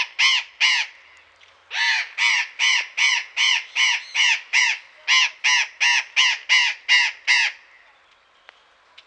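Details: Burrowing parrots in a garden in Pelhřimov, Czech Republic, on a February afternoon, 16 February 2018: loud harsh screeching calls in rapid runs of about two and a half per second, with a short pause after the first pair.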